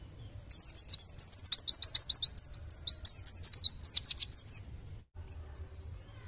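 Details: High-pitched 'tembakan' outpouring from a white-eye (pleci), a masteran recording for tutoring songbirds: four seconds of fast, tumbling chirps and sharp slurs, a brief silence, then a few sparse rising notes.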